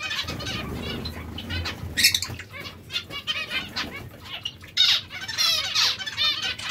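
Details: Breeding pairs of zebra finches giving a chorus of nasal, buzzy stacked notes that overlap from several birds, with a few sharper bright calls and soft wing flutters and rustling underneath.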